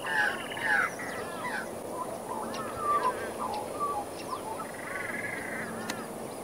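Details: Plumed whistling ducks with young beside a rural road near Moggill, Queensland, Australia: a few shrill whistled notes, some downslurred, loudest at the start, amid steady background noise and faint other calls.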